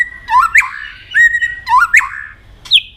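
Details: White-rumped shama in competitive song: three short phrases, each a low rising whistle sweeping up into a sharp higher note, about once every second and a half, ending with a brief high whistle.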